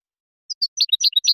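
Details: European goldfinch, clean song used to educate juvenile birds: a brief burst of two high notes followed by quick, jumbled liquid twitters.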